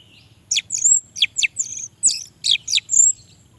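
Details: Orange-headed thrush song used to coax lazy males into singing: a lively string of short, sharp downslurred whistles and chirps, about eight notes in three seconds, over faint low background noise.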